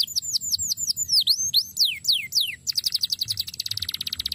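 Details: Canary song used as a master tutor recording: rapid high whistled phrases, a string of downward-sweeping notes followed by a fast, even trill of repeated clicks near the end, with faint low background rumble.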